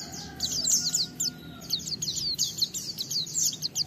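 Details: 'Bongkar materi' song of an oriental white-eye, played to stir other white-eyes to sing: bursts of very high, scratchy twitters and chips in clustered groups, fairly quiet, over a persistent low hum.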